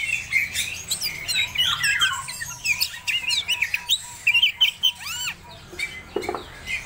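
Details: Medan kacer (Oriental magpie-robin) in breeding condition singing a rapid, varied stream of sharp whistles, slurred upsweeps and scratchy chirps, with a faint pulsing low tone beneath and a harsher note near the end.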